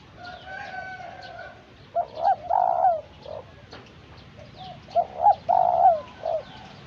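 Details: Spotted dove in the early stage of training as a decoy bird, cooing: two loud bursts of low, hollow coo notes, each a short stutter followed by a longer swelling coo, separated by a pause of about two seconds.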